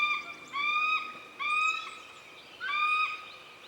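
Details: Female Bald Eagle at her nest, 14 April 2018, giving distress calls after a strange eagle circled the nest, alerting her mate: three thin, high whistled notes, each slightly rising and about half a second long, faint outdoor hiss.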